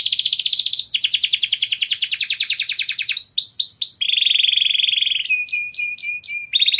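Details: Canary song: a fast, dense trill of rapid buzzy notes for about three seconds, then upswept whistled slurs, a flat sustained rolling tone, and a string of clipped chirps, all loud and clear with no background sound.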